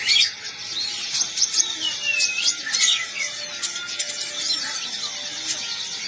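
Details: Olive-backed sunbird singing in the trotol style, a fast, continuous stream of high, thin chirps and short whistled slurs, some notes sweeping down and others rising, with scratchy twitters packed closely together and no other sounds.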